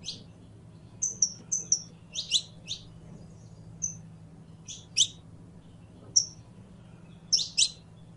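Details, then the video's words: Saffron finch (canario criollo) singing: short whistled notes and doubled high chirps, irregularly spaced, roughly fifty per minute, with a quiet low hum. "CANTO DE CANARIO CRIOLLO CANTANDO"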